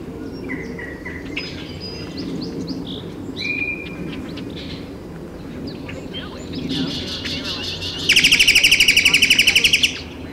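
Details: In Taos, New Mexico, on 17 June 2017, a Great-tailed grackle makes scattered squeaky notes and short whistles, then a loud, rapid, evenly pulsed rattle lasting about two seconds, with faint background murmur.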